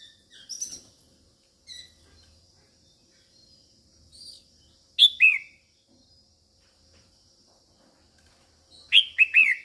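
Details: Red-whiskered bulbul female calling to rouse males: short thin whistles early, then bursts of strong falling notes at about five and nine seconds, the last a rapid cluster of three or four.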